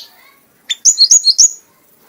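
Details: Kanis merah, or red-whiskered bulbul, an award-winning songbird in full frenzied song: a short phrase of four or five bright, high whistled notes delivered quickly, dropping and rising, in a quiet setting.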